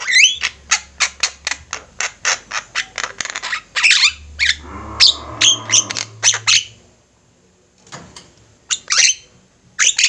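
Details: Javan mynas singing as a flock, recorded as a master track for training birds: rapid string of dry, clicking squawks roughly five per second, then a rushing pause and a few scattered harsh notes.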